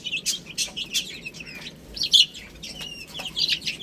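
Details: Baby chicks feeding on spinach give a few distinct high peeps, some rising then falling, separated by short pauses and punctuated by pecking taps.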